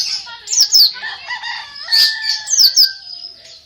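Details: Greater green leafbird in lively song: sharp, high whistled notes with quick downward slurs, in short bursts separated by brief pauses, over faint steady lower tones in the background.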